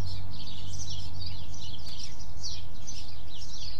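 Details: Several small birds in a small-town neighborhood chirp in quick, high, overlapping bursts throughout, over a steady low rumble of light distant traffic.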